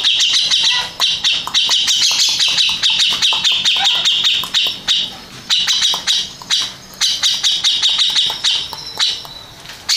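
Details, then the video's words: High, rapid chattering from a first-placed contest grey-cheeked bulbul comes in bursts separated by brief pauses, with sharp clicking noises running through. "Kicau Burung Cucak Jenggot Juara 1"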